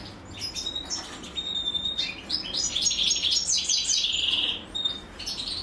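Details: A female European goldfinch feeds her chicks, which answer with fast, high chirps rising into a sustained, buzzy chorus before fading back to single thin notes.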